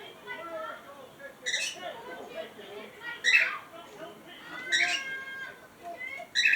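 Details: Cockatiels playing in a box chatter softly, with sharp, screechy squawks breaking through every second or two.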